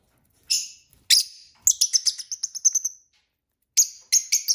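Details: A group of pet lovebirds chirps at dinnertime. Single piercing high notes lead into a fast, rhythmic string of about ten shrill twitters. After a short silence, three more sharp chirps follow.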